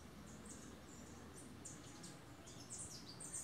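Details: Male Tennessee warbler singing low in brush on a farm in Boquete, Panama, 11 March 2018, during spring migrant passage: thin, very high chips and short trills running on steadily, faint over a low constant rumble.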